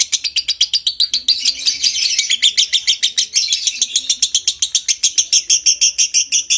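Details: Long lovebird 'konslet ngekek' chatter meant to bring on breeding condition: a continuous, high-pitched, harsh rattling of quick repeated notes that thickens in the middle and keeps going throughout.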